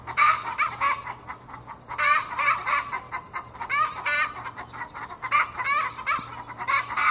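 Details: Young Australorp hens, twenty weeks old and not yet laying, in a backyard with the egg song usually linked to laying: dense, loud, rising cackles from several birds overlapping in rapid bursts.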